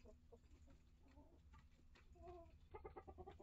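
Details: Chickens inside a coop with a run, a flock of mixed-breed hens and integrated chicks: soft scattered clucks rising into a quick series of harmonic clucks toward the end, against constant low mechanical hum.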